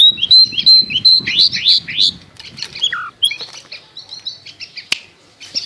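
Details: Lure song of a long-tailed shrike, used to prompt a bird that has stopped singing: a clear whistle, then rising slurred notes, one lower whistled note, and softer quick twitters with a sharp click.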